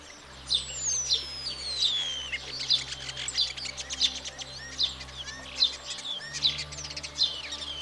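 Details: Mating-season song of a European Starling, sung to impress potential partners: long, thin whistles sliding downward, then rhythmic high chips and rattly clicks repeated about every second, over a faint steady musical drone.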